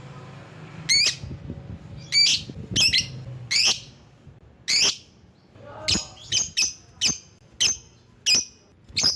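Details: Lovebird calling to challenge rivals: a series of about twelve sharp, screechy chirps, irregular at first, then quicker and more regular toward the end, over a low hum.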